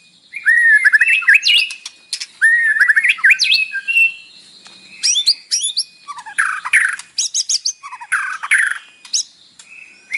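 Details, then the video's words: White-rumped shama song full of imitations, played in the morning to trigger captive birds: two matching rising, twisting whistled phrases, then a rapid mix of sharp, chirpy and harsh notes. "PANCINGAN pagi hari EFEKTIF bikin Gacor dengan suara murai batu isian"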